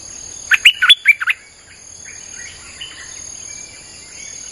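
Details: Streak-eared bulbul song played to lure wild birds: one burst of about six loud, quick liquid notes in the first second and a half, then quiet with faint thin whistles and a steady high insect hum.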